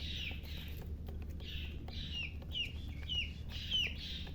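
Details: Chicks of the domestic chicken chirping, with bursts of high peeping and sharp downward-sliding notes repeated about every half second, over a low constant hum.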